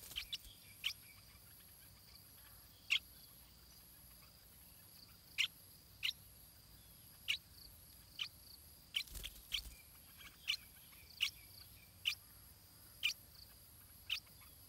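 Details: Stripe-throated bulbul chick in its nest while being fed by its parents: faint, thin high chirps, single or in quick pairs, repeated irregularly about once a second against a quiet background with a soft rustle midway.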